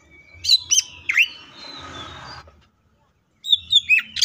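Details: Greater green leafbird in full tembakan song: a few loud, sharp twisting whistles, then a soft hissy stretch and a pause before another cluster of quick, bright chattering notes.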